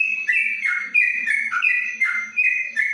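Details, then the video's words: Yellow-vented bulbul, caged under a cover in Kebumen, Indonesia, sings the long ropelan style: fast bright whistles sliding between high and lower pitches, repeated several times a second. "Trucuk Ropelan Panjang dalam krojong"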